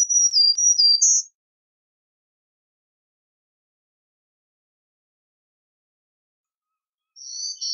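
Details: Black-throated green warbler (Setophaga virens) song: a quick, high, buzzy phrase of several notes ending on a higher one; after a long silence, a second phrase begins.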